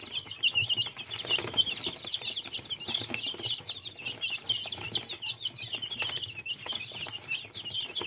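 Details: Many small chicks peep nonstop in rapid, high, overlapping chirps that rise and fall, with scattered tapping and rustling noises in the background.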